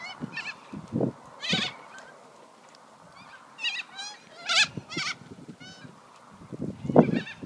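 Corellas give harsh, grating screeches in short bursts, about six over several seconds, with low knocking and rumbling sounds in the background.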